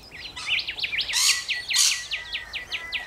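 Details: Rainbow lorikeets in Australia: a run of quick zigzag chirps broken by two loud rasping screeches, the chirps continuing in a steady series afterwards.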